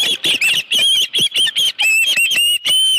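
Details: Osprey on the Dunrovin Ranch nest with a live fish, 25 July 2018, 5:23 PM, giving loud, overlapping, shrill chirps and short slurred whistles in a nearly continuous jumble.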